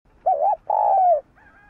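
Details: Calling spotted dove used to stimulate other doves: a quick warbled coo followed by a sustained, softly descending coo, with a faint trailing note after it.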